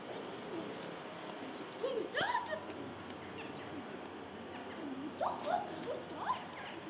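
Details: A joyful flock of jackdaws at Embrun on 21 November 2019 at 16:45: short, harsh 'chak' calls, some overlapping, scattered irregularly across the recording over a steady background hiss.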